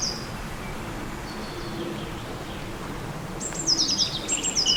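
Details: Spring birdsong by the river Odra at Ostrava, Czech Republic, 2022: after a quiet stretch of faint distant notes, high, sharp twittering trills break out near the end, over a constant low background hum.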